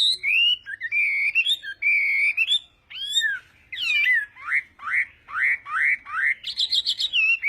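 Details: Chinese hwamei in a singing contest during morning voice training, delivering rich whistled phrases, sweeping slurred notes and a series of rising upslurs repeated about twice a second, ending in a fast high trill.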